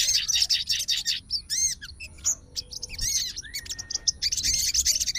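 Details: Agitated fighter-type sooty-headed bulbul calling out a rival after hearing another bulbul; fast twittering bursts mixed with clear arched whistles, briefly pausing between phrases.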